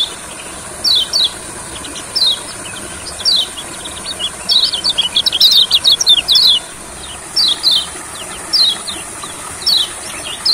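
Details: Olive-backed sunbird singing in a rice field as part of therapy to make it sing more: high, sharp, downward chirps, spaced at first, then a fast chattering run, then spaced again, over steady insect hiss.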